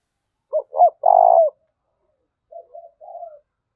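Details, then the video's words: Spotted dove lure coo used to stimulate other doves, from Dong Nai, Vietnam: two short rising notes then a long steady vibrating coo, followed by softer, fainter coos from a second, more distant dove. "cu gáy kích bổi nhanh nổi gù, Tiếng cu gáy mồi thúc và gáy gọi"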